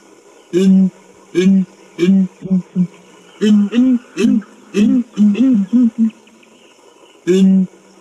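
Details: Southern ground hornbills giving their deep, booming chorus call, which carries several kilometers: low hooting double notes repeated in a steady run of about a dozen booms, played back indoors.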